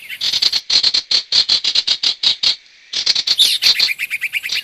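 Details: Sirtu lure sound: regular rapid chirps, a brief pause, then denser chirping with a shrill burst and lower, quick notes at the end.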